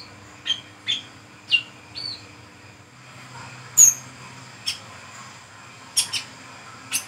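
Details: Brown-throated sunbird at night, 'ngriwik ngeplong' lure song: several high slurred chirps early, then after a short gap sharper, clicky, very high notes scattered irregularly, with a faint low hum through the first half.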